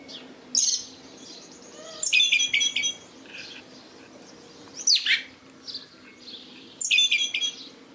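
A red-legged thrush sings short, high, squeaky phrases, some trilled or chattering, with pauses of a second or two between them. The background is quiet.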